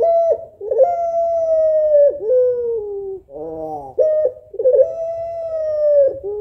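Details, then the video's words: A female puter pelung, the long-cooing African collared dove, calls the male mournfully: two long steady coos, each dropping at the end, separated by a short buzzy nasal note. "SUARA SEDIH BURUNG PUTER PELUNG BETINA MEMANGGIL JANTAN PASTI LANGSUNG NYAUT"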